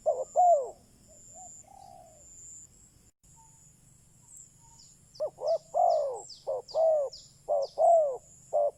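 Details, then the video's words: Spotted dove used as a decoy to attract wild doves: a couple of low coos, a pause, then a run of short and drawn-out descending coos, with faint high chirps from small birds overhead. "Chim cu mồi chuẩn thúc bổi, kích bổi nhanh nổi/ Burung Terkukur"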